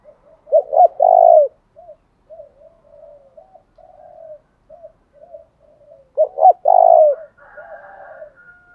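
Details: Spotted dove as a decoy to provoke rivals: two low hoarse coo phrases six seconds apart, each two short notes and a long falling note, with soft scattered coos between and a faint higher call after.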